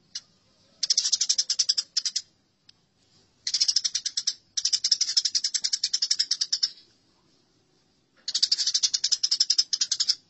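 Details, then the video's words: Fighting burung gereja (Eurasian tree sparrow) in a songbird training recording: three long runs of rapid, rasping high chirps, each one to three seconds long, with a quiet gap near the end. "Masteran Gereja Tarung"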